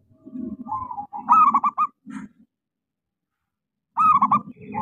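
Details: A local zebra dove with a small voice, singing as a lure for doves that have gone quiet: choppy rolling coo phrases twice, mixed with a strong low rumbling sound.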